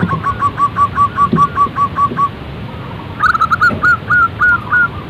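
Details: Zebra dove cooing in an even, rapid run of about eleven short notes, then after a pause a slower series of slightly higher, rising-and-falling coos.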